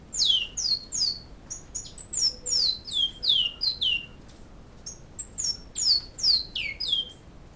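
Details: A Great-billed seed finch in Canoas sings its Flauta Modesta song: bright down-slurred whistles in quick series, a pause, then another fast run of falling notes.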